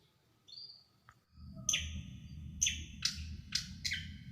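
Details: Small bird giving a sharp tutor song for pet birds: a short whistle, then several loud, abrupt, piercing chirps spaced about half a second apart over a low steady background hum.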